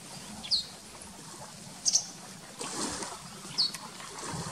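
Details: Grey wagtail's evening song over Sulejów Reservoir, Poland: three thin, sharp, very high notes spaced over a few seconds, above a steady hiss of running water.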